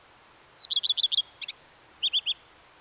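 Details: Common redstart delivers a longer song: a high opening note and five rapid falling notes, then a jumble of high squeaks and slurs, finishing with three more repeated descending notes.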